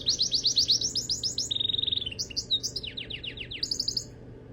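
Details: A canary's song, loud and continuous. It opens with bright, quickly repeated downslurred notes, shifts to a lower buzzy rattle, then a descending string of sweeping whistles, and ends in a soft high trill.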